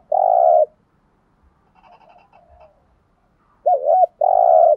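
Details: Spotted dove kept as a decoy to attract wild doves, giving thúc gù coos. A long steady hoot comes first, then soft faint chatter. A wavering double note and another long hoot follow.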